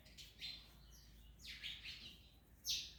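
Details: Parrot calls while eating orange: a few scratchy, high chirps that sweep downward, ending in one sharper, louder squawk near the close, over a low steady hum.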